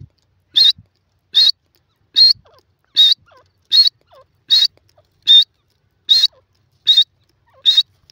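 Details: A francolin, the Sindhi teetar, repeats a short, piercing high whistle ten times at a steady pace of about one note every 0.8 seconds, with faint soft sounds in between.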